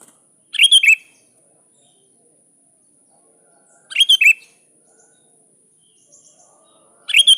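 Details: A sooty-headed bulbul calling a rival, with bubbly three-note whistled phrases repeated roughly every three and a half seconds over a constant faint high hiss.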